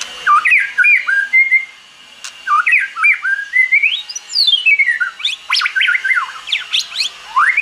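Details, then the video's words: Forest-style song of a white-rumped shama used for training another bird's voice: varied fluting whistles and warbled notes, a long descending glide from a high note, then quick sharp upswept notes and chattering phrases. "Chòe Lửa Hót Giọng Rừng"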